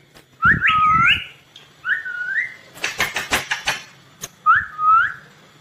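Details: Ringneck green parrot, a rose-ringed parakeet, uttering sharp whistled notes that sweep upward then level off, in groups, with a rapid series of harsh chattering bursts in the middle and faint low background noise.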